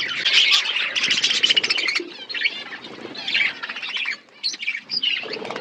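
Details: Caged budgerigars in a forest-setting aviary produce bursts of fast, buzzy twittering and short squeaky chirps. The chatter pauses briefly, then resumes with scattered sharp calls.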